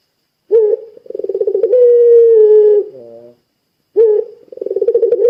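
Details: A spotted dove of the puter pelung type calls twice to provoke other doves: each phrase starts with a sharp note and pulsed trill, the first rising into a long sustained coo and a lower throaty coo.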